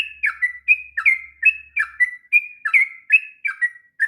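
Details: Sooty-headed bulbul in steady, persistent ngropel song for training young birds: paired liquid whistles, one dropping and one level, repeated roughly every half second in a lilting rhythm.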